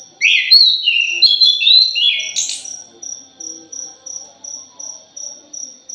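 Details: Thrush, known locally as punglor or anis, in a lure recording: a burst of varied clear whistled and warbling phrases, then a steady fast ticking insect-like pulse repeating several times a second.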